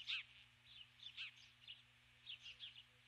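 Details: At dusk on 21 July 2015, a female osprey calls from the nest for her mate: loud, high whistled chirps, the first strongest, then softer paired notes about every half second, over a steady hum.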